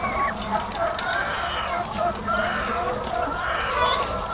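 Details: Farm flock of thousands of laying hens producing an unbroken murmur of clucks, rising and falling nasal calls layered thickly over one another without pause.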